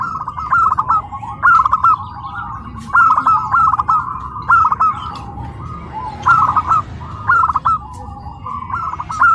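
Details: Tame, home-raised local zebra dove singing at its first practice contest at PLN Karawang, amid a crowd: short bursts of rapid, bubbly coos repeated about every one and a half seconds over a steady hum of other doves.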